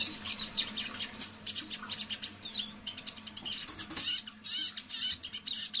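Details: Caged decoy Eurasian siskin singing softly at half voice in the evening: quiet, fast twittering and chattering notes, scratchy and high, in short irregular bursts with a faint steady low hum behind.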